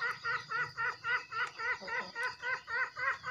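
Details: Javan green junglefowl in a recording used to coax newly caught or quiet birds into calling and as a lure in the forest: a fast, even run of nasal, chuckling notes, about four per second, with a faint hiss behind.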